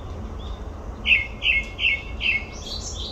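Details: Olympic Park grey-backed thrush giving four evenly spaced whistled notes, each dropping in pitch, followed by a thin, high twittering flourish; steady low background rumble.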